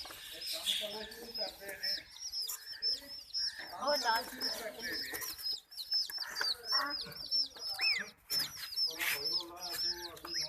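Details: Chicks terrified during attacks by ducklings and a puppy keep up a rapid, crowded chorus of piercing, downward-bending peeps, joined by lower whining calls and clattering sounds.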